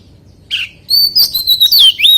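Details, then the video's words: A single harsh chirp, then a bright stream of fluting, looping whistles as a white-rumped shama sings in wild-voice style. "CHÒE THAN HÓT GIỌNG RỪNG SIÊU HAY - Suara Burung Kacer Gacor"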